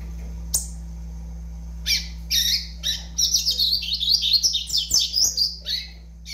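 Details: Five-month-old double-collared seedeater starting with scattered squeaks, then building into a quick, high, scratchy twittering song that runs for several seconds over a steady low hum.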